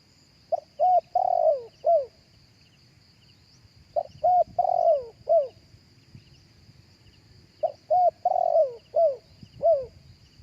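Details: Spotted dove cooing live, recorded for playing through a loudspeaker to lure other doves: three mellow cooing phrases about every three and a half seconds. Each has a short note, two clipped coos, a long falling coo, then a final coo, over a steady high whine.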